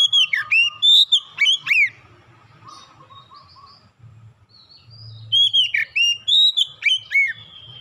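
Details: Oriental magpie-robin singing to prompt other birds to sing: bursts of loud, slurred whistles sweeping up and down, repeated in quick clusters at the start and again after a quieter stretch of soft twitters and steady low hum.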